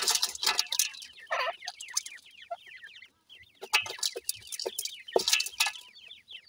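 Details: Several Sindhi grey francolin chicks at feeding time utter rapid high-pitched, downward-sliding chirps in irregular clusters, with intermittent scraping and tapping noises and a brief quiet gap.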